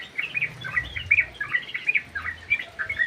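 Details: A sooty-headed bulbul in an aviary delivers energetic, liquid chirps in quick clusters, roughly one note every three-quarters of a second, with a light hum underneath.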